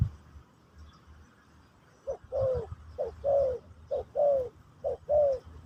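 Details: Pesom or kacuk style song of a spotted dove during a session teaching a new bird: four evenly spaced low coo pairs, short lead note then longer slurred note, roughly one per second, after a quiet opening.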